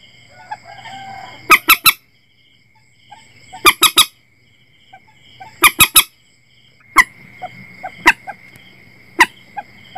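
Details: Common moorhen call used for setting nets at night, 2022: clipped triple bursts of harsh notes roughly every two seconds, then single sharp notes, against a thin constant high hum.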